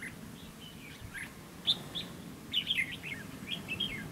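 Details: A red-whiskered bulbul, recorded during bulbul trapping with a fighting-decoy setup, gives bright, quick whistled chirps in short bursts of two to four notes over a low background rumble.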